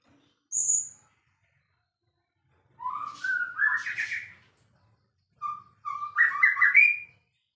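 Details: White-rumped shama, a champion bird, opens with one very high note, then after silence sings rising fluty phrases and a final burst of quick tumbling whistles.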